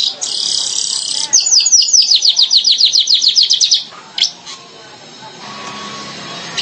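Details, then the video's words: Streaked weaver: a buzzy hiss gives way to a rapid run of high, repeated downslurred chirps, followed by a couple of sharp notes and background hum. "SUARA BURUNG MANYAR KEMBANG"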